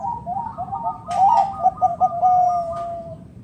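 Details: Local zebra dove calling to prompt other doves into song: a string of quick, soft coos building to a louder stuttering phrase, then a long, steady, gently falling coo.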